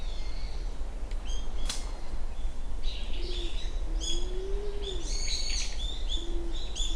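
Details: Japanese wood pigeon recorded at 07:00 on 29 January 2024 at Uwajima, Kaminoseki town, Japan: a few low, drawn-out moaning coos, one long arched note, beneath a busy chorus of high chirping songbirds.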